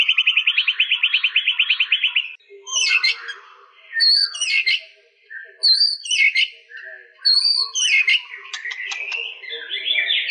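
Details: Song of the white-rumped shama: a rapid high trill for two seconds, then separate varied phrases of sharp whistles and chirps separated by short pauses.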